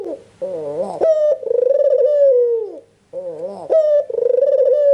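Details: Red-eyed albino Barbary dove, used to prompt lazy doves to answer, giving a quavering lead-in, an abrupt rising note and a drawn-out throbbing coo that falls away, then starting the phrase again.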